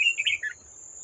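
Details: Old wild red-whiskered bulbul approaching a trap to fight a decoy bird, recorded 18 July 2024: a short run of bright chirping notes stepping downward, over a steady high insect-like whine.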